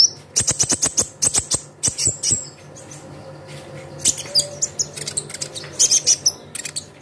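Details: Lure recording of konin: quick series of piercing high chirps and ticks in energetic bursts, pausing briefly before another rapid run.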